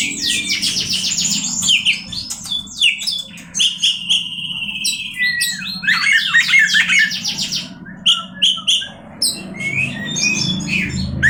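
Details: Oriental magpie-robin pouring out a long, varied song of rapid trills, clear whistles and scratchy buzzes, sustained phrases shifting quickly in pitch, with a soft low hum beneath.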